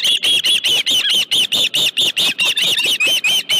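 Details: At a ranch osprey nest with a live fish on a July late afternoon, an osprey repeats loud, shrill, slightly harsh whistles steadily, about four each second, without a break.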